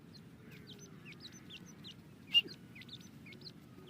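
Grey francolin chick giving thin, high peeps in quick irregular series, each note sliding up, with one sharper click-like sound midway over a low background hum.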